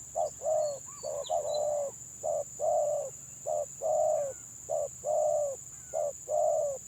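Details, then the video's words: Spotted dove, village variety, stutter-singing 'gagap' style: evenly paced short coos, alternating clipped and slightly longer notes, about a dozen in seven seconds; small birds chirp faintly and a high hiss persists. "BURUNG TEKUKUR GAGAP VS GAGAP"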